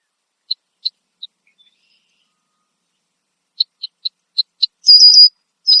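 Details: Red-winged blackbird perched in a tree in Southern Ontario, Canada, giving loud alarm calls: sharp high check notes spaced irregularly, a pause, then a faster run of checks and a buzzy, trilled whistle.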